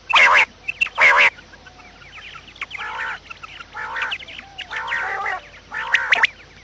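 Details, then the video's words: Quail calls used to lure quails for trapping, heard in the morning: loud nasal, harmonic bursts in pairs at the start, then softer repeated bursts about once a second, with faint chirps between. "batair Subha ki awaz | quail sound effect"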